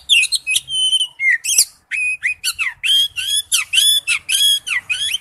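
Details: Oriental magpie-robin lure song, ringtone: loud, nearly continuous run of rich whistles, sliding slurs and harmonic upswept notes in quick succession.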